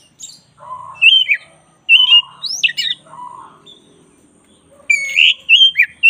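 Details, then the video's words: Kacer dada hitam (Oriental magpie-robin, black-breasted form) singing actively on a training recording. Soft low warbles alternate with loud, squawky high whistles and abrupt slurred notes. A brief quiet stretch comes before a final burst of strong whistles. "10 menit masteran kacer dada hitam GACOR"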